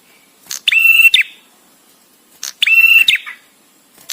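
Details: A visiting male Bar-winged prinia repeats a buzzy, flat, nasal phrase twice, about two seconds apart, with a soft chip after each and another at the end.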